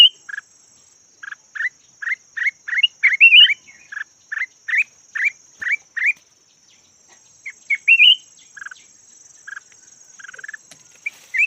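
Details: Decoy red-whiskered bulbul of the yellow type repeating short, slightly rising notes about twice a second, then pausing and adding a brief warble, over a faint high hum.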